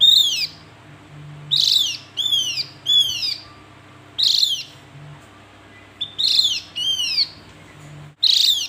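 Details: Javan white-eye calling: loud, high, downslurred whistled notes with rich harmonics, given singly or in quick pairs at irregular intervals of about one to two seconds, over a faint low hum.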